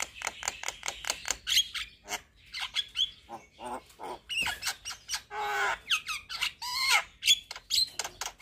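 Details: Javan myna singing vigorously while nodding its head, a full song packed with varied fills: rapid runs of harsh, clicky high notes and buzzy squawks, broken by short rising whistles and a raspy rattling burst near the end.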